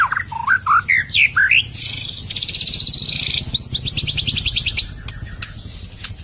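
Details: White-rumped shama, played as a lure, giving a series of loud whistled upslurs followed by long rapid high buzzing trills and a fast stuttered rattle.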